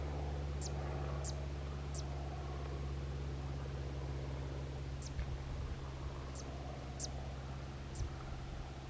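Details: A zitting cisticola perched on a post at Quinta do Pisão, Cascais, gives sharp, very high 'zit' notes about every half second in two short runs, over a steady low rumble of wind or distant traffic.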